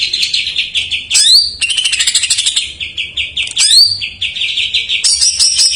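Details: Filled song of a greater green leafbird, played to stir untrained or silent birds into singing; rapid high trills broken by bright upward-sweeping whistles and ringing phrases, delivered almost without pause.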